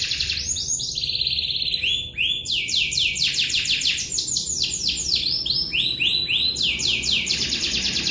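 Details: Long rolling canary song made of fast repeated high sweeping notes, shifting between slower sweeps and dense rapid trills over about eight seconds without a break, against a steady noisy background.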